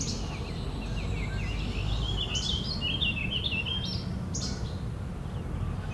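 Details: Red-winged blackbirds in an argument: a rapid series of short sliding chirps, then harsh buzzy notes and further clipped squeaks, heard over a continuous low rumble of background noise.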